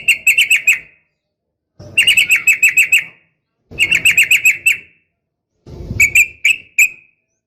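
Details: Female yellow-vented bulbul calling to provoke males to respond, in the uplik tarung style: four bursts of rapid, bright chattering notes, each burst about a second long with short pauses between.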